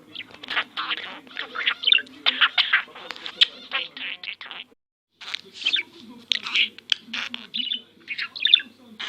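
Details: Domestic budgerigar imitating speech, coughing and sniffing, including the Turkish "cici toy"; harsh, chattering bursts run for several seconds, stop in a brief silence, then resume in clipped scratchy syllables.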